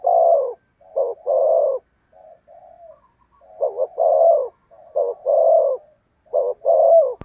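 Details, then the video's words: Decoy spotted dove giving a driving coo meant to provoke and lure wild doves: low, hoarse coos in phrases of a short note followed by a long drawn coo, soft quiet murmurs between phrases, a sharp click at the end. "cu gáy thúc gù cực đỉnh kích bổi dợt mồi hiệu quả"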